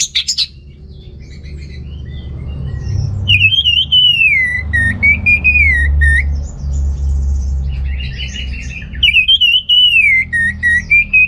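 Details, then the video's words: Orange-headed thrush recorded in North Bali to stir males lacking breeding drive: a sharp opening note, then long, smooth, wavering whistled phrases rising and falling, one returning after a pause, over low rumbling background. "ANIS MERAH Gacor Untuk Pancingan AM Jantan yang Kurang Birahi, Semua Burung Pasti Ikutan Bunyi"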